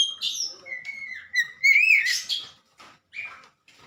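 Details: White-rumped shama song for training caged birds: a long level whistle, then a buzzy rising flourish and a few fainter notes.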